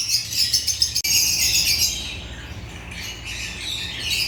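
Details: Lovebirds of the genus Agapornis with a fast run of shrill chirps early on, a sharp click at one second, then softer steady twittering chatter.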